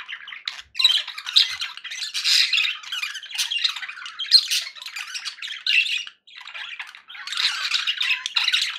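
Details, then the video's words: Pet budgerigars, said to be happy, in loud steady scratchy warbling indoors, brief silent gaps near one, six and seven seconds, otherwise an unbroken stream of chirps and squawks. "happy budgie sounds"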